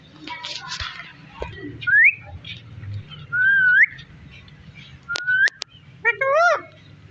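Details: Parrot eating melon seeds: a few scratchy squawks, then several clear upward-sliding whistles and a final wavering harmonic call, over low background hum.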